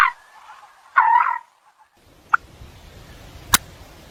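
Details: Eurasian coot giving two short, harsh, nasal calls close together, followed by quiet background with a couple of sharp clicks.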